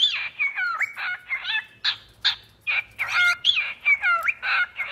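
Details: Pet cockatiel giving harsh, rapid chattering calls, a busy series of raspy, broad chirps and squawks with sliding whistled bits, about two or three notes per second.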